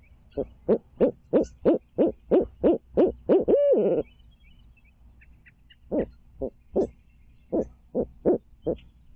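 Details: Barred owl at a Tulsa nest, Midtown, 2019 stream cam. About eleven evenly spaced hoots build to a long, sliding final note. After a pause, another run of rapid hoots follows.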